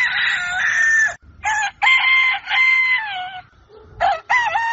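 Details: Crowing rooster at daybreak, loud harsh crows broken into several segments with brief gaps, the longer phrases holding a steady, slightly falling tone.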